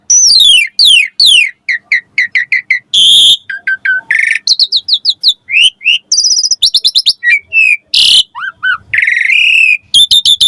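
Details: Lure song of a Javan pied starling, meant to train young starlings: a busy varied medley of falling whistles, rapid chirp series, harsh buzzy bursts and trills, nearly continuous and loud.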